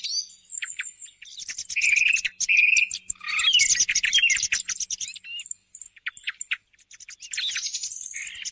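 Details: Morning hunting lure of thrush song: high thin notes, a pair of steady whistles, a loud jumble of rapid chirps, then scattered shorter phrases separated by quiet gaps.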